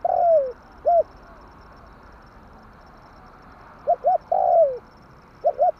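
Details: Spotted dove call used to lure birds into traps: a long sliding coo and short hoot, a pause, then two quick notes and another long falling coo, clean quiet background.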